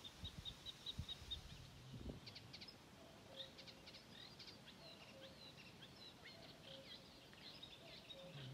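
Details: Sedge warbler singing at Mingen, Njurunda, on 12 June 2023: fast scratchy chattering phrases with high trills, following a few thin high notes at the start, while a common cuckoo calls repeatedly in the background.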